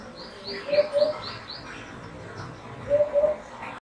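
A hoopoe gives soft, low, hollow 'oop-oop' double notes, twice about two seconds apart, while another bird adds a quick series of high chirps.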